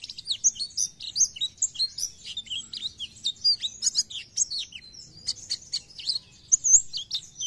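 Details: Lively Oriental white-eye song in the nembak style, played to make other white-eyes chattier: a jumble of sharp high chirps, upslurred and downslurred whistles and twitters, delivered irregularly throughout without long gaps.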